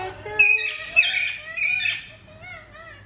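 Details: Pet Indian green ringneck parrot producing raspy, buzzy calls and short whistled notes that rise and fall, with several squawky bursts over three seconds.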